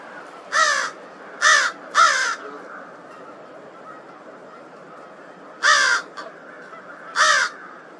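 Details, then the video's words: Crow at Twin Lakes, March 18th, 2023, making an unusual sound: three harsh, raspy caws about half a second apart, a pause of three seconds, then two more spaced caws, over faint hiss. "Crow making an unusual sound"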